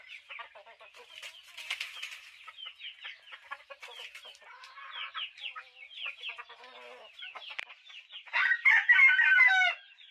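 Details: Chickens making rapid high peeps in a busy chorus, many short notes overlapping, ending in a louder burst of shrill, trilling peeps close by.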